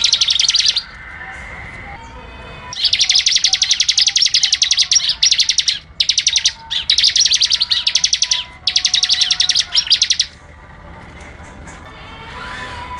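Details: Energetic bar-winged prinia song used as a tutor recording: long bursts of rapid, high, buzzy chirps in quick succession, broken by short pauses, with faint lower whistles in the gaps.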